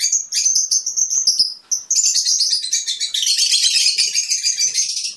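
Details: Fischer's lovebird chirping to stimulate mating: a continuous stream of high, sharp chirps and twittering notes, starting with clear whistled tones and then turning into dense, rapid chatter with no pauses.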